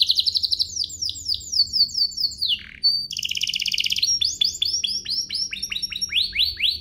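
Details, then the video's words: Canary song meant to fire up other canaries: fast repeated descending slurs, a short low dip, a harsh dense buzz, then a long series of crisp rising-and-falling repeated notes. "Pancingan kenari biar GACOR, kenari manapun langsung naik emosi habis dengar ini"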